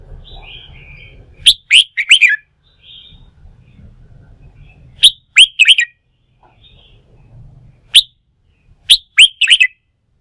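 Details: Red-whiskered bulbul pushed into heated singing as song-fighting training: short bursts of sharp, clipped whistles spaced a few seconds apart over faint low background rumble.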